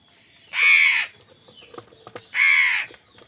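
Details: Two loud, rasping caws about two seconds apart from a crow contesting food with wild birds; light clicks and knocks between them.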